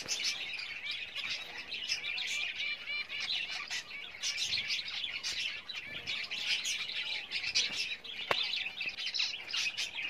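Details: Java sparrows preparing a nest for breeding: continuous high, crowded chirping and tinkling calls with no pauses, plus a single sharp click toward the end.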